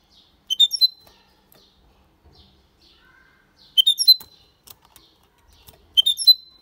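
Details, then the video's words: Goldfinch × canary hybrid singing a clean Malaga-style song: a short, bright phrase of sharp chirps ending in a sustained whistled note, given three times, about every two and a half seconds, with quiet pauses between. "Mixto de Jilguero Cantando Limpio (Video HD)Mulet de Chardonneret X canari /hybrid goldfinch singing"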